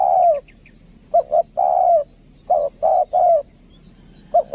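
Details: Lure spotted dove cooing: a long falling note, then two short notes and a drawn-out coo, then a run of three even coos, ending with two more brief notes.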